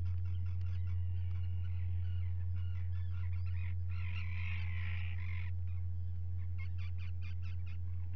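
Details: Common guillemots on a breeding ledge where two chicks hatched on 27 June 2020, filmed by a live camera; scattered rough notes build to a loud, harsh growling call from four to five and a half seconds, then short pulses, over steady machine hum.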